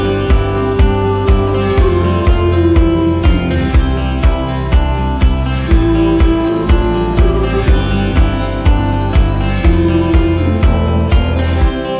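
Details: Steady rhythmic instrumental music with a strong beat and sustained melody, no animal sound.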